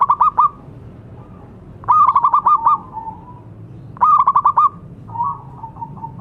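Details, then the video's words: Zebra dove of local stock singing vigorously, played to coax doves that have stopped singing: four bursts of quick, stuttering coo notes in six seconds, separated by faint, lower, wavering coos. "Perkutut lokal gacor suara bagus untuk terapi yang macet bunyi."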